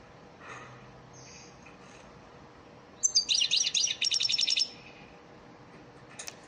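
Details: Goldfinch ders song, elmacık type, used to tutor caged birds: after near quiet, a tight phrase of rapid, ringing, zigzagging twitters lasting about one and a half seconds.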